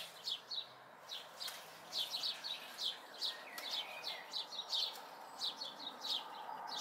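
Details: House sparrow fledglings, May 2020, uttering clustered chirps that overlap in pairs and triplets, several birds calling close together against a low rumble.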